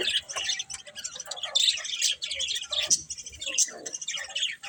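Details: Several budgerigars give busy overlapping chirps, squeaks and warbled twitters in short irregular bursts.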